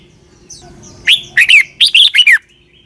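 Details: Red-whiskered bulbul from Thailand delivering a short southern-style phrase for young birds to copy: faint lead-in chirps, then six sharp, bright whistled notes, some doubled, ending on a downward slur.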